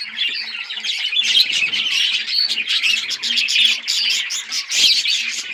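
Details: Colourful budgies on October 26, 2023 chatter in dense, overlapping warbles and chirps, squawky notes mixed in, while a faint steady low hum runs underneath.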